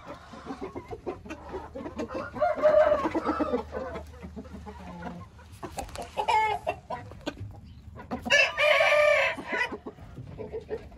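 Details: Hint rooster crows, two loud drawn-out calls around a second long, separated by quieter clucking and background noise.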